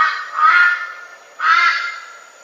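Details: Red-billed Brush-turkey giving loud, raucous, harsh notes, two broad nasal calls about a second apart with the second note partly cut off; the species is shy and more often heard than seen.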